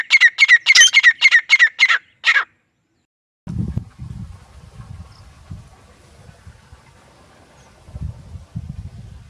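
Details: Grey francolin pair, male and female: a quick run of harsh, regularly repeated squawking notes for two seconds, then silence followed by low rumbling handling or wind noise.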